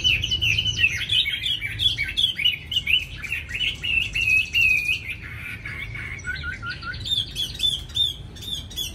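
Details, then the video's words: Hanoi, Vietnam, captive Chinese hwamei in full song: a rapid, continuous stream of high twittering and whistled notes with sudden changes of pitch, ending in sharp, clipped chips. "mi hót mau mỏ"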